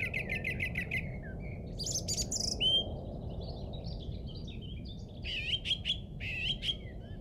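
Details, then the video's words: Birdsong from a local English golf course on Easter Saturday 2007: six quick repeated whistled notes, a shrill high chatter, then varied twittering and rising whistles from more than one bird, over low steady rumble. "Bird Song From Jolly Old England"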